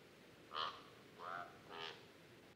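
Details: Common Raven mated pair duetting: three hoarse, nasal notes about half a second apart, two higher ringing calls from the female with the male's lower, rising-falling croak between them, as the pair coordinate their duet.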